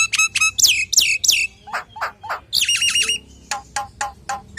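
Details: Common hill myna song, full and varied, used as a lure for other hill mynas: loud harmonic squawks, downward-sweeping whistles and rapid clicking notes in quick irregular bursts, with a faint low hum beneath.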